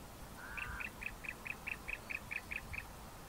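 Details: Bar-throated Apalis, a duetting pair with the male louder and lower: a steady series of about eleven short chirped notes, roughly five per second, over hissy background noise.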